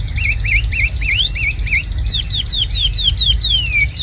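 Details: Red-whiskered bulbul, tame and described as singing very well, gives curling whistled notes in quick succession, then a series of sharp downward-slurred whistles ending in a long falling note; low hum behind.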